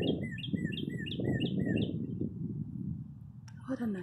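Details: Birds chirping at a parking lot in spring after many cold days: a quick run of bright, downward-sliding chirps repeated about every quarter second, over a steady low rumble, with a brief voice near the end.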